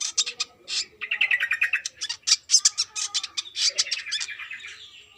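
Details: Brown-throated sunbird in full trotol song, female calling male: a dense, rapid chattering trill of scratchy high notes, some rolling lower runs, delivered almost continuously before fading.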